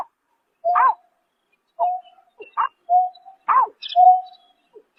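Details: Greater painted-snipe at night in March 2024 alternating level, hooting tones with short arched nasal notes, irregularly spaced about a second apart, with faint high chirps near the end.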